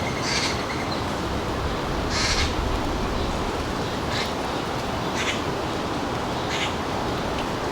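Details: At a suburban backyard feeder in northern New Jersey, around 4 p.m. on 3 July 2022, harsh, raspy bird calls come about five times at uneven intervals over a steady hiss of background noise.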